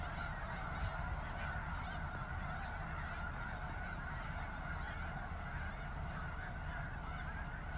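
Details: Snow geese, a few birds, recorded 23 February 2020: a continuous murmuring wash of overlapping honks with no single call standing clear, under a constant low rumble.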